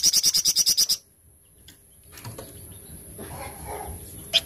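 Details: A flamboyan fires a 'tembakan cadas' burst: about nine fast, sharp, high-pitched notes in a tight rhythmic run lasting one second, followed by low background noise and a single faint high chip at the end.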